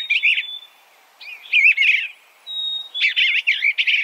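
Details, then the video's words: Eastern bluebird, state bird of Missouri and New York, singing short burry warbles broken by thin level whistles, three bursts of notes separated by brief silences. "Suara Burung Eastern Bluebird - Eastern Bluebird Bird Sound"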